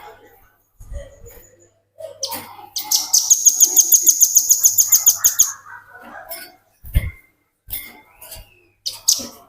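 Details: Velvet-fronted nuthatch song used as a tutor recording for training other songbirds: a rapid run of high, sharp repeated notes lasting about three seconds, with scattered chirps and faint background sounds before and after.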